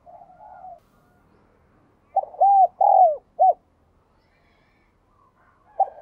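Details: Spotted dove coo used to stimulate captive doves: a faint murmur at first, then a crisp four-note hollow phrase with a drawn-out, descending third note, and one more note starting near the end.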